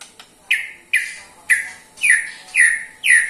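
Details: White-rumped shama (murai batu), an Indonesian cage bird, uttering a ketrekan that prompts other shamas to sing: six harsh, buzzy downslurred notes, repeated about every half second.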